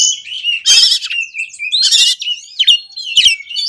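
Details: High, varied oriental magpie-robin song from a lure recording meant to prompt other birds to answer: whistled, twisting notes broken by three loud harsh, buzzy bursts.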